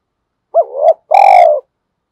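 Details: Decoy spotted dove being urged to coo quickly in Vietnam: two loud, low, hollow coo notes, the first short with a dip and rise, the second longer and steady, against a silent background.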